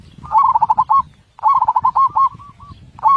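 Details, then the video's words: Zebra dove singing with a large voice and tight beats: two long bubbling phrases of rapid pulsed coos, the second trailing off in spaced softer notes, a third beginning at the end. "Masteran Burung Perkutut suara besar ketukan rapat."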